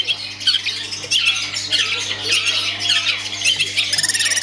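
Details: Long-tailed shrike kept as a songbird, in full performance: dense, harsh, high chattering with squeaky slurred notes, ending in a quick rattling series, over a constant low hum.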